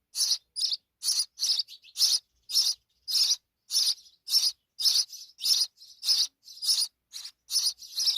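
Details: Dense, overlapping high chirps from several begging sparrow chicks as the mother feeds them insects in Pakistan; notes come rapidly, nearly twenty in eight seconds, rough and buzzy in tone.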